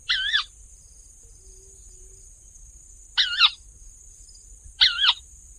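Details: Wetland crake with a small black mask bordered by white stripes, giving a raspy, wavering two-part kawa call repeated three times about every two seconds over a quiet background with a steady high hiss.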